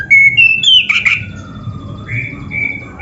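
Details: Oriental magpie-robin, a training song for caged birds: a few long pure whistles, one gliding upward, a burst of harsh noisy notes, then a falling drawn-out whistle and steady tones.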